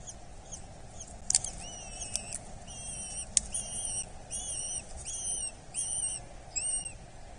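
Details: A Eurasian hobby chick at a nest in Dorset, being fed on 8 July 2024, gives thin, high, slightly arched squealing calls, repeated roughly every half second, over a soft background hiss.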